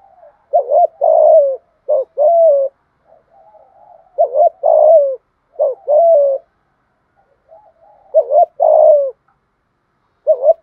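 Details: Spotted dove, a cage bird, in full thúc gù cooing with thổ voice: soft hollow coos grouped into short two- and three-note phrases, each ending in a longer sliding note, returning every few seconds, with faint quiet coos between phrases.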